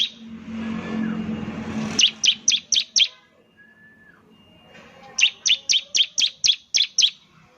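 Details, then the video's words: Bar-winged prinia in semi-active song, its voice said to set others of its kind singing, delivers two bursts of crisp high notes, five then about nine, evenly spaced, after an opening stretch of rough background noise. "ciblek semi gacor, sangat terbukti bikin ciblek lain ikut bunyi nembak nembak"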